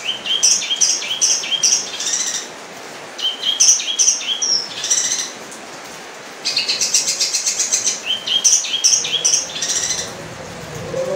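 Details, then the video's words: Long-tailed shrike (cendet) in full song, giving bursts of varied high chirps, squeaky whistles and scratchy notes, separated by short pauses, with background hiss. "cendet gacor isiannya mewah banget"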